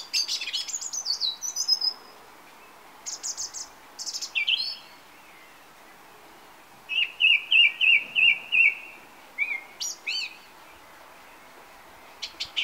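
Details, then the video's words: Song thrush perched on a TV aerial in summer evening light, singing varied phrases separated by silences, including a clear motif of about five repeated looping notes around the middle, then short high calls. "Song thrush on a summer evening"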